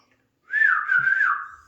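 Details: Male Alexandrine parakeet talking: a single smooth whistled note, rising slightly then dipping and leveling off, held for about one second before fading.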